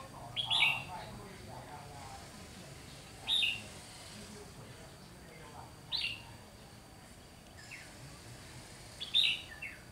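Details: Red-whiskered bulbul used as a decoy bird for trapping, recorded 30 June 2020: short, sharp chirped phrases repeated roughly every three seconds against a faint steady background hiss.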